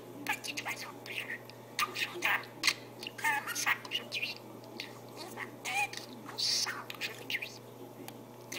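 A budgerigar talks in fast, scratchy, whispery bursts of mimicked speech, mixed with short high chirps and clicks, over a low steady indoor hum.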